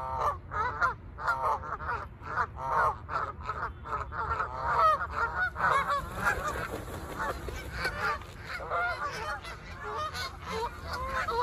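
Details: Canada geese honking during takeoff, a flock calling in rapid, overlapping nasal honks with a steady busy rhythm; a broad rushing noise joins partway through.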